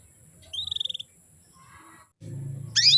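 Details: Female canary call meant to arouse males and make them sing keenly: a rapid trill of about eight bright, evenly spaced notes, a soft pause, then one loud, harsh, sweeping chirp at the end over a low hum.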